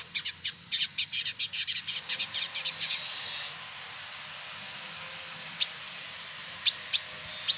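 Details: Male village indigobird kept in Bandung, West Java, Indonesia, delivering a fast series of high, sharp chips about four per second for two seconds, then a hissing pause broken by a few scattered single notes.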